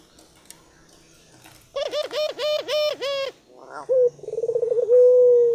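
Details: A puter dove, described as super gacor (very vocal), utters a quick series of five even, nasal notes, then a rolling trill that swells into one long, sustained low coo.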